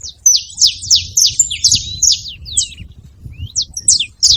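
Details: Wild free saffron finches making noise at a feeding place: rapid, piercing down-swept chirps crowding together, then thinning to scattered single notes.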